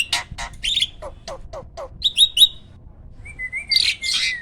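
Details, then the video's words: Hybrid jalak (myna) master bird for training songbirds: a run of sharp clicks and chirps, a few short whistled notes, then a drawn-out whistle overlaid by harsh rasping. "JALAK HYBIRD GACOOR!! MASTERNYA PARA JUARA."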